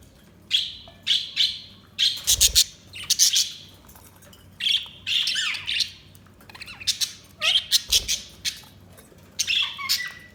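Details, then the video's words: Budgerigars giving a steady stream of harsh, squawky high chirps in quick clusters, with occasional soft knocks, the calls tumbling on almost without pause. "Budgies Sounds| Budgies Chirping sound"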